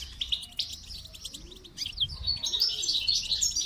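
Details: During song training a goldfinch delivers quick high chirps that build into a dense, liquid twittering warble, steadily louder toward the finish, with faint low rounded sounds underneath.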